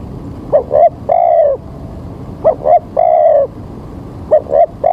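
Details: Spotted dove calling as a lure for bird trapping on an overcast early morning with rain coming: three-part phrases of two quick coos and a longer falling croo, repeated about every two seconds.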